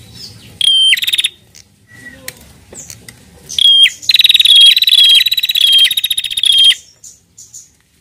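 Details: Female Bar-winged prinia calling actively: a high whistled note and a long, fast run of dry, buzzy ticking notes lasting several seconds.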